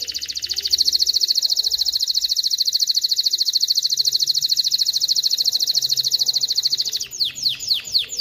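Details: Male canary singing to teach chicks to sing and bring females into breeding condition: a fast, buzzy rolling trill held for about seven seconds, then a few steep, sweeping down-slurred notes.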